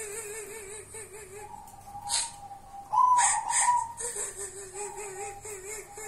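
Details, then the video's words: Local wild-type zebra dove called kuntilanak gives low wobbling trills in repeated bouts, broken by a long whistled coo. Scattered clicks and hiss sound in the background. "Perkutut kuntilanak"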